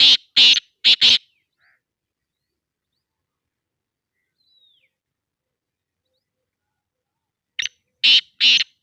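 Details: Harsh, scratchy calling of a black francolin from Sindh, Pakistan: a phrase of four grating notes, several seconds of near silence with a faint thin whistle, then a second phrase of three rasping notes.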